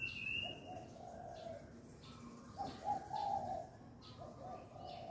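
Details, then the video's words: Dove cooing at the dawn of a new year's day: a run of low, breathy coo notes in short bursts, with faint chirping from other birds in the background. "ฟังเสียงนกเขาขัน # รับวันใหม่ของปี"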